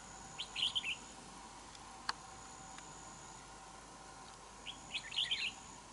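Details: Wild red-whiskered bulbul at a fighting trap set with a decoy bird, a territorial contest: two short, bright warbled phrases of quick rising and falling notes, about four seconds apart, over steady low background hiss and one sharp click.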